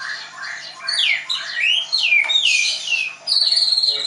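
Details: Caged white-rumped shama in Tangerang singing high, sweeping whistled notes that rise and fall, ending in a sustained thin high whistle.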